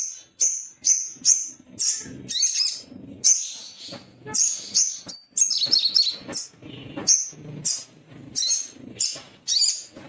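Little spiderhunter giving sharp, high, clipped chip notes, repeated about every half-second to second, with fainter lower rustling between calls.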